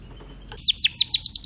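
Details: Song of a Timbrado canary: a sharp click, then about ten quick descending whistled notes repeated evenly at a fast pace, clear and bright.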